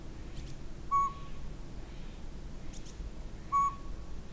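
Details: Northern pygmy owl at the Sea to Sky Gondola giving single, clear, mellow whistled toots, two notes about two and a half seconds apart, over a steady low background rumble.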